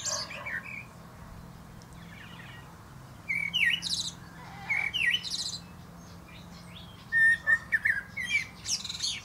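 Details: Common blackbird (Turdus merula), male, singing from the top of a plum tree; brief warbled whistles alternate with high chattering squeaks, ending in a run of clear repeated notes.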